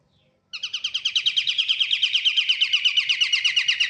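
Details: After half a second of quiet, a pied triller (kapasan kemiri) used as a lure bursts into a loud, rapid, very regular trill of buzzy downslurred notes, about seven each second, sustained without pause.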